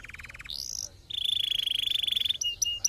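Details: Canary singing, played to stimulate singing: a short buzzy trill, a rising slur, then a long steady rapid trill and a few sharp high notes, with faint low hum.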